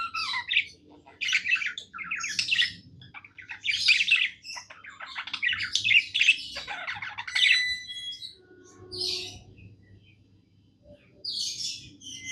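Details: Caged pet budgie singing happily indoors, a long chattering warble of rapid scratchy bursts and squeaks, with a few clear whistled tones partway through and short pauses between phrases, over a low hum.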